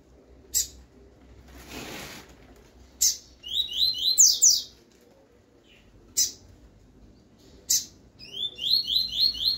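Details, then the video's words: Double-collared seedeater singing the 'tui tui' song style, recorded for teaching young birds: sharp high chips at intervals, then quick runs of short, bright, rising notes repeated four or five times, with a brief soft rustle early on. "PAPA CAPIM TUI TUI ENCARTER PARA FILHOTES"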